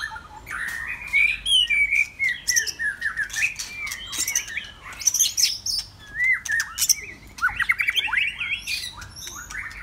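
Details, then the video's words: White-rumped shama in Saturday afternoon song: scattered sharp clicks and ticks between varied whistled phrases, with arching slurs and a closing cluster of quick bright notes. "White Rumped Shama"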